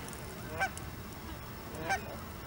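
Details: Canada geese at Hawreluk Park Lake: two short, sharp honks about 1.3 seconds apart over a steady low background rumble.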